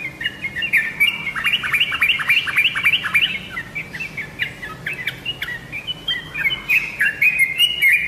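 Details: Yellow-vented bulbul lure sound for prompting captive birds to answer: lively, dense chattering whistles with quick falling and rising notes, briefly slackening midway before resuming strongly.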